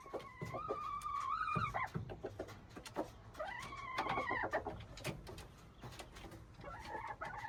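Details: Junglefowl recorded on March 19, 2025: two distant crows, each a steady tonal phrase that rises slightly and then breaks off, about three seconds apart, with clicks and background noise throughout.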